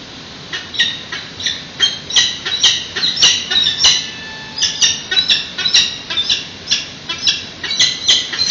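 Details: Peregrine falcon chicks at the San Francisco PG&E building nest on a live webcam, 13 June 2017 at 8:35 am, being fed about eight days after hatching: harsh, rasping squawks repeated roughly twice a second over steady background noise.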